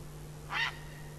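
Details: Male tawny owl calling from a branch at 22:22 at night on 22 September 2014. A single short, hoarse, rising-then-falling note is heard over a steady low electrical hum.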